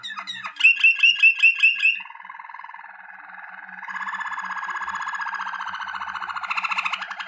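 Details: Waterslager canary singing for training: a quick series of sharp repeated chipping notes, then long, deep, continuous rolling trills that swell in strength toward the end.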